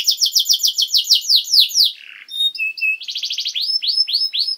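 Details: Canary song recorded as training material for young canaries: quick series of falling high notes, a brief low buzzy note, then a flat whistled tone and rising repeated sweeps, all bright and rapid.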